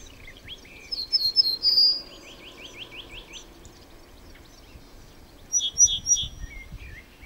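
Cretzschmar's bunting sings a quick run of six short, even, down-slurred notes, framed by high thin chirps and three clear ringing notes later, over faint outdoor hiss.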